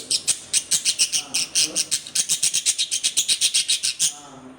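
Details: Pet budgerigar in an angry mood, uttering fast, grating scratchy notes in a rapid train of roughly five per second, fairly even in loudness, ending abruptly.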